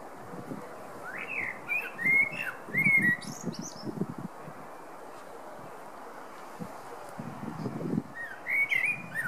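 A male blackbird sings two mellow, fluting phrases, each ending in a thin, squeaky twitter, with a low rumbling murmur underneath.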